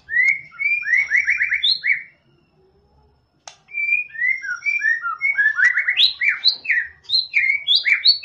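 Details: White-rumped shama song played to get a less active bird singing: fast repeated whistled notes, a brief silent gap, then a long varied run of loud, rising and falling whistles.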